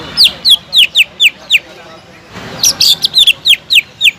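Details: Greater green leafbird in full continuous song, used as a lure recording to stir up leafbirds that have stopped singing: two bursts of sharp, high, down-slurred whistled notes in quick succession, about four per second, separated by a short pause.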